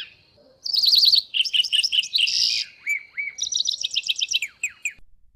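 A White-browed Wagtail gives a lively, varied phrase of high trills, slurred whistles and buzzy notes, running without pause for about five seconds.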